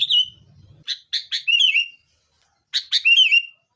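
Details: Sooty-headed bulbul singing in a fighting mood, played as a lure for caged birds: a few quick sharp chips lead into a bubbly, down-slurred whistled phrase, given twice.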